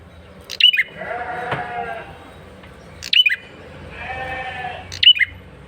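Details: Lure call of a male bar-winged prinia, loud and insistent: three sharp, high, chirping bursts spaced roughly two seconds apart, separated by a drawn-out bleating sound in the background.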